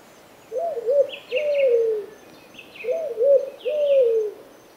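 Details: Turtle dove of genus Streptopelia uttering two phrases of three coos each, short rising-falling notes leading into a longer, drooping final coo.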